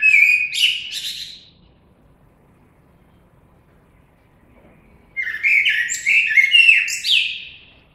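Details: A common blackbird sings two phrases separated by a few seconds of quiet: fluted whistles followed by bursts of high, squeaky twittering.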